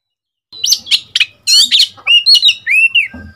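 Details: Young seven-month-old Oriental magpie-robin, a decoy bird after its first moult, answering wild birds with loud, varied whistles, sharp chips and a long rising-falling whistled note, ending with a low knock.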